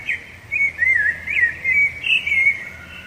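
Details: Rufous-bellied thrush singing to mark territory and attract a female, giving about five rich whistled phrases, each a brief rising-and-falling warble separated by short gaps, with a quiet background.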